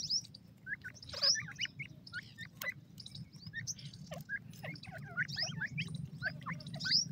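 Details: Grey francolin chicks giving scattered short rising peeps and higher thin chirps, with brief pauses between bursts and a steady low hum behind.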